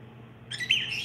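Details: Pet green masked lovebird (personata) during its daily routine: after a short quiet moment, a brief burst of shrill, high chirps with one sharp squeaky note standing out.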